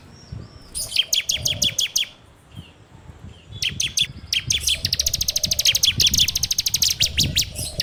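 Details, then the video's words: Ciblek or bar-winged prinia singing a ngebren song for use as a training lure, recorded on Android: spaced sharp chips that speed up into a fast, continuous rattling trill, over some low background rumble. "PANCINGAN SUARA CIBLEK TERBAIK FULL NGEBREM RAPETT!!!"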